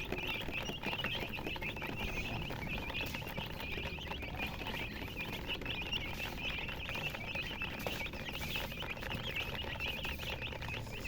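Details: Baby chickens chirping as a dense, continuous chorus of high peeps from many chicks at once, over steady hiss and low rumbling background noise.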